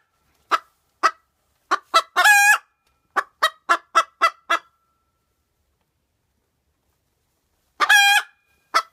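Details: Pet Cochin bantam hen calling just after laying an egg: a run of sharp, short clucks about twice per second, broken by two loud, harsh, drawn-out squawks, with a quiet pause before the last squawk and cluck.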